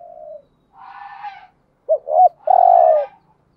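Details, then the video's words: Brief bout from a decoy spotted dove luring other doves: a faint drawn coo and a softer rough note, then two clipped notes and one loud sustained low coo. "Chim cu mồi gáy giọng bài bản/ tiếng chim cu cườm mồi gù thúc. chim cu đất thúc gù giọng nghe giền"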